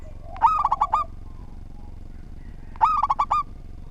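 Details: A lively local zebra dove gives two brisk phrases of stacked, stuttering coo notes, each lasting under a second and spaced about two and a half seconds apart, over a continuous low background noise.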